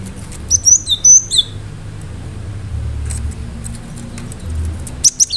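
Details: Cinereous tit singing sharply to stir other birds into response: a quick run of high whistled and slurred two-note phrases at the start, then low rumbling background with scattered faint ticks and brief notes at the end.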